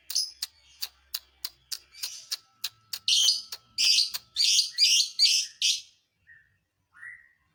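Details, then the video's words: Lovebird song intended to rile other lovebirds: a run of crisp rapid clicks speeding up into loud raspy chattering bursts, then two short rising squeaks after a pause. "dijamin burung Lovebird lain emosi"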